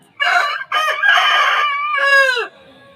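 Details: Aseel roosters crowing, played in slow motion: a harsh, hoarse crow in broken segments, ending in a drawn-out, falling note; nothing else is heard.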